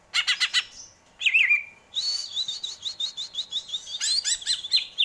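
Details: Greater green leafbird song, described as soothing and beautiful: a rapid burst of high chirps, a slurred descending whistle, then a long run of quick warbled, mimicking-like notes repeated steadily.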